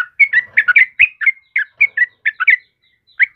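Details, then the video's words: Yellow-vented bulbul singing actively, used as a master recording for training caged birds: short bubbly whistled notes in quick uneven bursts, rising and falling, with a brief pause before a final phrase. "SUARA TRUCUKAN KEBO GACOR"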